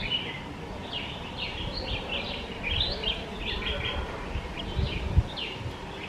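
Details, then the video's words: Red-whiskered bulbul calling while eating, seen close up; a run of short, bright, slurred chirps, some rising and some falling, repeated over steady low background noise. "Red-whiskered bulbul eating and making sounds"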